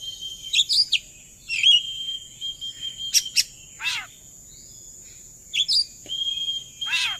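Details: Oriental magpie-robin (kacer) song played as a lure to get birds singing along: steady whistled tones, quick chirps and a few harsh downward-swept notes, with a long gap mid-way and faint low background noise.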